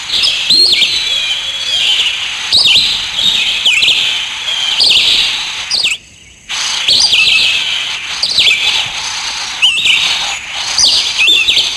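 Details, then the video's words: Sparrows, called "black sparrow", chirp busily in bright, overlapping high notes, several birds calling at once with quick repeated chips and short trills; a brief silent gap midway. "Balck sparrow"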